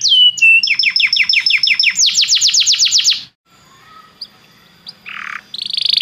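A Belgian canary sings a bright, fast series of repeated downward-swept notes, then a quick rolling trill, followed by softer scattered chirps.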